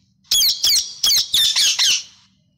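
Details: Parrot squawking: six harsh, grating, high-pitched bursts in quick succession over about two seconds, each loud and abrupt, the last ones running together before fading out.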